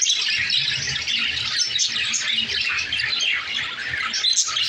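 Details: Lovebirds in a dense, continuous chorus of shrill, high squawks and chirps, overlapping so that many calls blur together, with a faint low rumble beneath.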